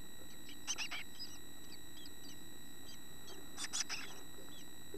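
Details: Chickadee nestlings almost ready to leave the nest, with tail feathers and eyes open, in a nest box: two short bursts of high, thin chirps and squeaks over a steady electrical hum, with scattered softer tweets between.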